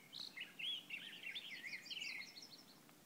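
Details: Songbird singing in the wild on a Waldo Canyon hike: a rapid, high warbling twitter of slurred and trilled notes running for about two and a half seconds before fading, with faint background hiss.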